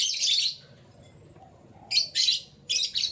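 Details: Morning canary chirping: a longer high buzzy chirp, then after a silent gap three quick bright chirps in close succession.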